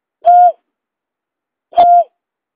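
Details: Lure recording of a buttonquail: two level, hooting notes a second and a half apart, each short with a soft downward tail, in otherwise silent surroundings.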